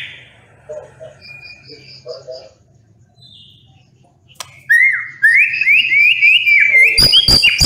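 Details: White-rumped shama, 'nembak pedes' song: quiet scattered whistles and a low steady hum at first, then a sudden loud run of repeated rising whistled notes followed by rapid sharp clicks.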